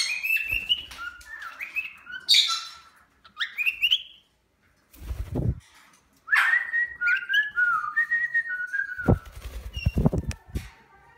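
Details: Cockatiels calling in an aviary: clear whistled phrases that rise and step between notes, some sliding upward, in bursts with short pauses, mixed with scattered knocks and rustling from the birds moving about the cage.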